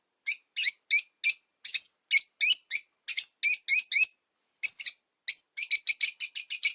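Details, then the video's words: Five caged pet rosy-faced lovebirds by a window, calling often in winter, keep up a steady run of sharp, piercing chirps, each a short harsh note, about three per second with a brief pause midway. "Lovebird Chirping Sounds"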